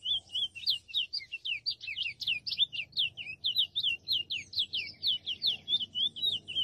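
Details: Wild chestnut-bellied seed finch (curió) singing freely in nature: a long, fast run of sweet whistled notes, swooping up and down, delivered in rapid phrases with barely a pause throughout; quiet background otherwise.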